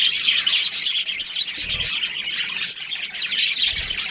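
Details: Budgerigar colony with a breeding pair, producing a steady wash of high, twittering chirps from many birds, plus two brief low thumps.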